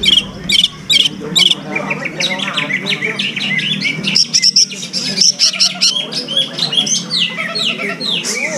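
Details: Caged greater green leafbird (cucak ijo) kept as a contest bird; its song is said to imitate serindit and kores calls. Rapid, varied high whistled and chattering notes, many short phrases with sharp up-and-down sweeps. Men talking and background music underneath.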